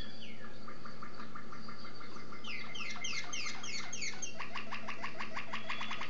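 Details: Malinois Waterslager canary song from 2011, soft and somewhat distant, made of quick descending slurred notes in clusters, building into faster repeated chirping phrases over a low steady hum.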